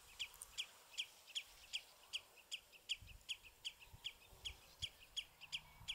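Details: House sparrows on bramble at Battenoord, filmed with a pocket Sony Cybershot; clear, repetitive single chirps spaced roughly every 0.4 seconds, fairly regular, with a few fainter chirps from another bird and little other noise.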